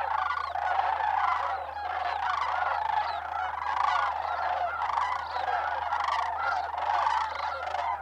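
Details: Sandhill cranes on migration at a New Mexico wildlife refuge, Bosque del Apache, in December; countless birds give overlapping trumpeting calls forming an unbroken, busy chorus.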